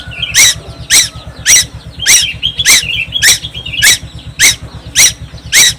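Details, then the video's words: Tuwu, a young bird on Timor Island that never stops singing, gives loud scratchy squeaks at a steady pace of almost two per second, with faint twittering in the gaps and a constant low drone underneath. "burung tuwu Pulau Timor gak pernah diam"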